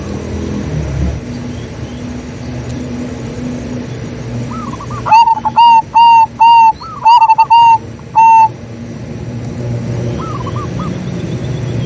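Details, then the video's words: Local zebra dove song used as a lure for other doves: a faint distant cooing phrase, then a loud run of about eight short, clear coos, ending with another faint distant phrase over a soft background hum. "BURUNG PERKUTUT LOKAL GACOR SUARA COCOK UNTUK PANCINGAN || ZEBRA DOVE"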